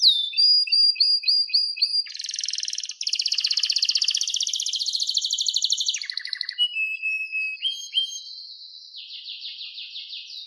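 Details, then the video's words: Masteran song of a captive-bred blorok white-rumped shama with a genetic abnormality: a series of short repeated whistles, then long buzzy rapid trills and rattles, shifting into fast high warbling phrases, clean recording without other sounds. "Masteran Murai Batu Blorok Suara Jernih"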